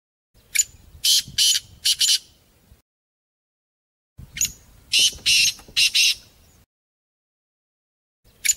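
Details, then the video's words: Partridge call, a series of rough, screechy notes in quick clusters of four or five, repeated after a pause of a couple of seconds; mixed sounds of different partridges. "Real Partridge Sounds | HD Different Partridge Bird Sounds | Interesting Partridge Crowing Sound"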